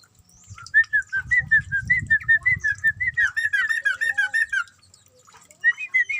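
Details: Caged sooty-headed bulbul singing while being bathed in its cage: a run of short, bright whistled notes repeated several times a second, rising into a busier warbled phrase, with splashing and handling noises below.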